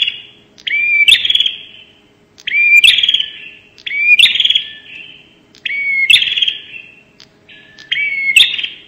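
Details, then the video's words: Bar-winged prinia, 'nembak' style lure sound: five separate phrases about every 1.7 seconds, each a brief rising whistle sliding into a sharp buzzy trill that trails off, with quiet gaps between. "pancingan suara burung prenjak nembak"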